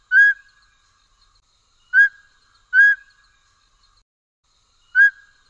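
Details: Mountain Scops Owl of the Taiwan subspecies (Otus spilocephalus hambroecki) giving four short, clear, piping whistles on a steady pitch, spaced one to two seconds apart, against a quiet background.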